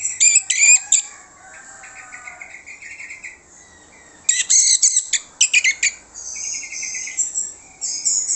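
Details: Lure song of an orange-headed thrush meant to make other birds reply: loud bursts of high, rapid chattering and whistled phrases, separated by softer trilled notes, continuous and varied throughout.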